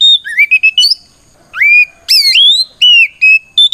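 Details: Oriental magpie-robin (kacer) giving its loud 'ngeplong' fighting song, meant to provoke other magpie-robins into answering. It sings clear whistled notes and upslurred sweeps, with a brief pause midway, then bright rising and falling whistles.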